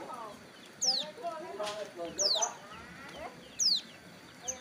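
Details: Roadside hill prinia in wing moult, taking the sun, gives three clear, high, falling whistled notes, interleaved with lower chattering calls from other birds and faint voices.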